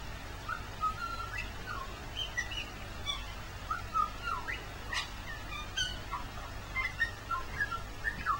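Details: On Christmas Day a magpie sings its heart out in the rain, giving varied whistles and fluting warbles broken by sharp clicks and brief higher notes, steady background hiss underneath.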